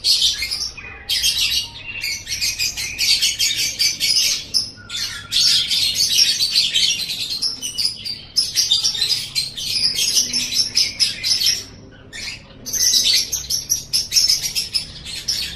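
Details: Sustained lovebird chatter used to prompt lovebirds to chatter: dense, buzzy, high-pitched twittering in long bursts broken by short pauses, steady low hum underneath.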